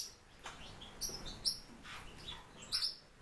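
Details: Caged warbling white-eye giving a few thin, high-pitched squeaky notes spaced about half a second apart, with faint rustles between them.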